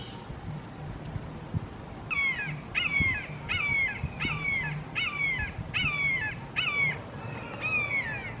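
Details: Three red-shouldered hawks in a Florida backyard calling long, loud and emphatically; after two quiet seconds comes a run of about nine harsh, downslurred kee-ah screams, roughly one every two-thirds of a second, over low background rumble.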